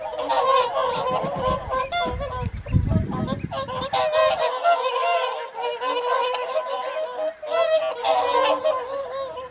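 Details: Many whooper swans trumpeting during the evening feed on the Folly Pond at Caerlaverock in January 2023: steady overlapping honks throughout, with a burst of low rumbling noise in the first half.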